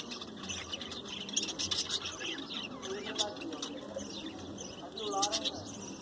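Budgerigars chatter in a busy stream of high chirps, squeaks and warbling twitters.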